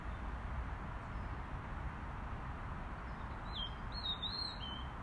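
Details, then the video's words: Robin call, heard as a short run of high, thin whistled notes that waver and dip near the end of the recording, above a constant low rumble of wind or distant traffic. "Robin call"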